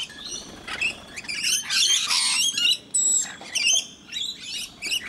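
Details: Rainbow lorikeets at Mt Gravatt in Brisbane, Australia, crowd in to be fed, one scaly-breasted lorikeet also present; dense, rasping squawks pile on top of one another, peaking loudly midway, then break into shorter shrill bursts.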